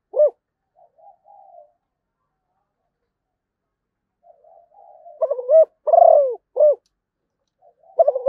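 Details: Malaysian-type spotted dove: faint soft coos for several seconds, then one full loud phrase of a stuttered coo, a long rolling purr and a short final coo, with another phrase just starting at the end.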